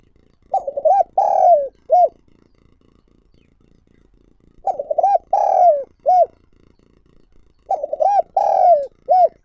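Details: Lure spotted dove calling for wild doves: three evenly spaced phrases of deep soft hoots, each with two quick notes, a long sliding coo and a short finishing note, over faint high chirping.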